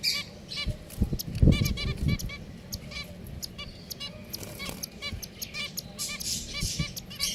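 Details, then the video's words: A group of pet finches chatters with quick, nasal, trumpet-like notes in irregular bursts, roughly two or three a second, with some low handling bumps early on. "Beautiful Finches #Sounds"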